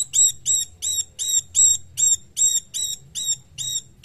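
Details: Cungkok bird used as a training song for songbirds: a steady series of high, hooked whistled notes with harmonics, about two to three per second, with a faint low hum beneath.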